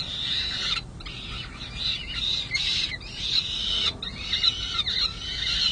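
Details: Hungry peregrine falcon nestlings on San Jose City Hall in May 2022 calling for food while an adult is present: long, raspy, wailing screams that run nearly continuously, broken by brief pauses.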